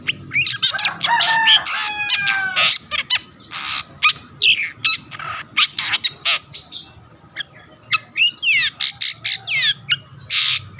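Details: Long-tailed shrike in full song to rouse rivals: opens with ringing, harmonic whistled phrases among harsh rasps, then an even string of short scratchy bursts and a few slurred chirps.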